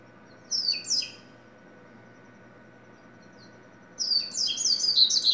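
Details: Double-collared seedeater song: a pair of sharp high chirps, a pause, then a fast run of slurred, bright twittering notes that continues to the end, with a faint steady hum.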